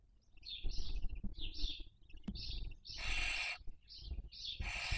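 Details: Barn owl family at a webcam nest in Cabañeros National Park, Castilla-La Mancha, Spain, during the 2023 breeding season; soft rising chirps give way to two loud rasping hisses.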